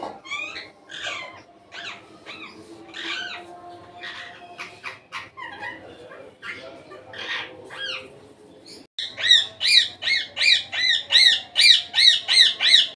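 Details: Pet Indian ringneck parrot out of its cage, uttering varied squawks and chatter, then a fast run of loud, regular screeching notes, about three a second, in the last four seconds.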